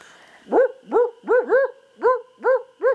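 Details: Barred owl called in by a person, giving seven loud arched hoots, each rising then falling, spaced about every half second, a couple run close together.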